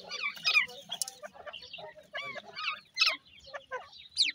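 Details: Fighting grey francolin chicks in India utter rapid, jumbled high squeaks and curving chirps, many overlapping, with loud peaks about every half second to a second.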